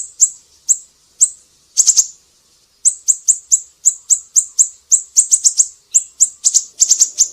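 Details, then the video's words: Siri-siri, in a tutor recording for training songbirds, giving sharp, very high chips, mostly single, with quick bursts of three to four notes and a brief pause near two seconds, over a clean quiet background. "Masteran burung siri-siri GACOR"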